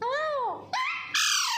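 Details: Talking parrot producing loud, tonal, voice-like sounds in three segments: an arched, falling note, then a rising one, then a higher sustained strained cry. Music and a person's speech are nearby.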